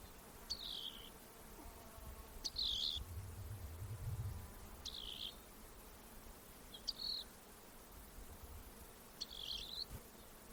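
Five short, buzzy, high trilled notes from a rock wren, spaced about two seconds apart, over a faint low rumble.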